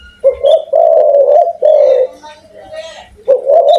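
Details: Spotted dove with a big voice, cooing strongly in long mellow notes, a brief pause, then another coo phrase beginning; a faint steady hum runs underneath.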